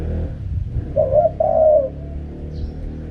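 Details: Single low, mellow cooing phrase of a spotted dove in the wild 'karam pa' style: a short hoarse note, then a longer throaty coo, with a low background hum throughout.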